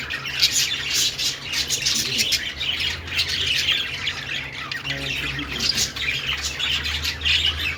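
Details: Budgie song of harsh squawks and rapid high twittering, continuous and rhythmic, with an intermittent low droning hum beneath.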